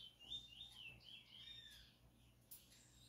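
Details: Chestnut-bellied seed finch, locally called bullfinch, a selected singing bird with marbled plumage, recorded close up; short run of high, clear whistled notes, partly sliding, over a steady low hum.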